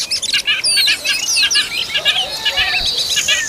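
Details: An Oriental magpie-robin feeding its young gives busy, high-pitched chirps and thin whistles in quick succession, with a few longer clear slurred notes and a faint rasping buzz underneath.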